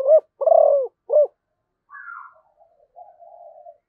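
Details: Zebra dove, known in Vietnamese as cu gáy Malaysia, giving three loud, low, vibrating coos in a fast stuttering burst, then softer faint drawn-out cooing notes trailing off.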